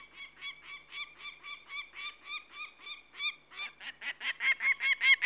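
A peregrine falcon gives a harsh, nasal series of 'kak' notes, about two to three per second, that grow louder toward the end.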